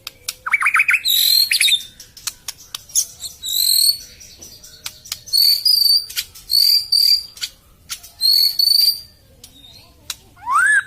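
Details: White-rumped shama on a lure recording for a bird silent after moulting: a rising whistled burst, then high thin whistled notes repeated at roughly one-second gaps, with clicks, and a final rising whistle.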